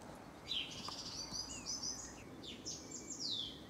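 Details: Common blackbird evening song near Wijchen, Netherlands, on 20 May 2012, during a distant thunderstorm with lightning: a run of thin, high, squeaky twittering phrases and short rising and falling slurs, with a soft outdoor hush behind.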